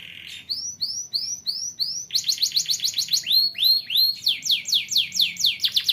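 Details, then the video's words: Young canary singing to train other birds: a series of rising whistled slurs, then fast trills of short sweeping notes, changing phrase every second or so. "BUAT KENARI PAUD LEBIH RAJIN BUNYI"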